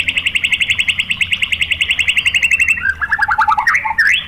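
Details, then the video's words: White-rumped shama singing as a provoking lure for other shamas: a long rapid trill of identical short notes, then a tumbling falling series of lower sharp notes and a rising whistle. "SUARA MURAI BATU FULL TEMBAKAN ¦ PANCINGAN MURAI ¦ SHAMA BIRD"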